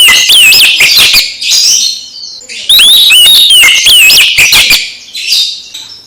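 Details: Oriental magpie-robin song that makes another magpie-robin sing eagerly again: loud bursts of whistled, sliding notes with rapid chirps, one phrase over about two seconds, a short pause, then another dense phrase.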